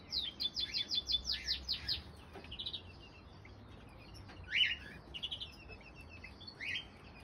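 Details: Begging from two newly hatched common crossbill chicks as their mother feeds them at the nest, April 2020; a quick series of sharp high notes opens, then scattered squeaky chirps follow.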